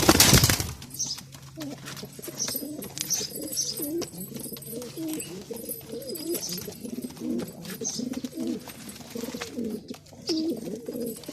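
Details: Male Bazi pigeon performing, with low, throaty, rolling coos repeating steadily and overlapping through the whole stretch, a sharp knock at the very start, and faint high chirps above.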